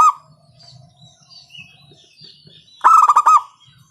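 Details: Local zebra dove with a loud voice, used as a lure to get other doves singing: a brief note at the start, a quiet stretch with soft background chirps, then a burst of rapid throbbing coos.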